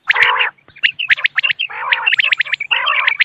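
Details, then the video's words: Common quail calling in the morning, a sound used by hunters to lure birds: bursts of clipped high whistled notes mixed with rough, buzzy, harmonic-rich growling phrases, in three dense bouts with short pauses between. "Morning Quail Call 2025 صوت السمان واضح للصيد Batair Ki Awaz بٹیر کا شکار"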